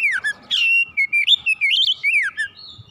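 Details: Oriental magpie-robin (kacer) singing with agitation and showing its full repertoire: a continuous warbled phrase of rich, fluid whistles that dip and climb, ending with a downward slur and a thin high note.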